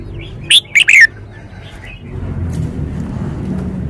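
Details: Red-whiskered bulbul showing its song phrasing with clearly stressed notes: one loud, rapid phrase of three bright whistled notes sliding downward, then a faint soft note and steady low background noise.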